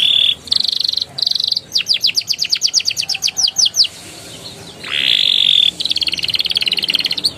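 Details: Canary singing, meant to coax young canaries into song: steady buzzy high tones, a fast series of sharp descending sweeps, a long bright sustained note, then a rapid trill.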